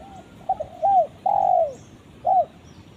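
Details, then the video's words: Spotted dove calling its companion: the tail of a coo, a clipped two-part note, an arched coo, a long downward-gliding coo, then a short final coo, in a calm rural setting. "suara burung tekukur memanggil temannya"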